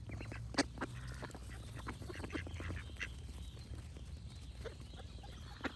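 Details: Ducks giving short, scratchy quacks at irregular intervals, with one sharp loud call early on and another at the close, over a steady low hum.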